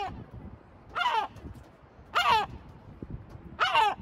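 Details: Sea gull at Batumi, Georgia: three loud, harsh, falling squawks spaced over about two and a half seconds, with low rumbling noise beneath.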